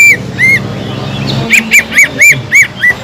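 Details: Sumatran leafbird in strong song, played to excite a listless caged bird into rivalry: a run of bright, arched whistled notes repeated about every quarter second after a short opening pair, over a low steady hum.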